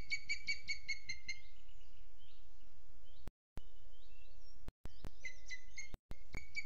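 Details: Booted eagle filmed by webcam in Spain's Sierra de Guadarrama National Park, 12 June 2022, 07:20. A quick burst of six ringing whistled notes opens, then another whistled series begins near the end, with sharp clicks and gaps between.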